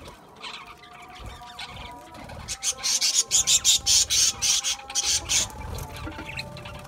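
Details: Seed-eating budgerigars: quiet chatter at first, then a rapid run of about a dozen loud, buzzy, evenly spaced squawks lasting some three seconds before easing off.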